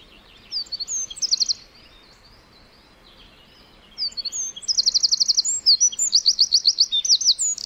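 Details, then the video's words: Two bursts of wren song in a forest: a short, sharp trill first, then after a pause a longer, louder song of rapid high rattles and trills lasting about three seconds. "1 Hour Of A Bird (Wren) Chirping In The Forest."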